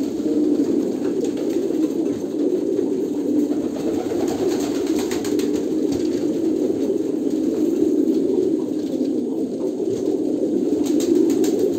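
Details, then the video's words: Many Kolkata pigeons coo at once, forming an unbroken, deep, purring drone with scattered light clicks and taps. "kolkata pigeon"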